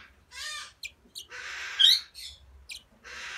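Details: A rubino Bourke's parrot, recorded 25 December 2017, gives harsh, raspy chattering calls in bursts of about half a second, with short high chips and one thin whistled note between them.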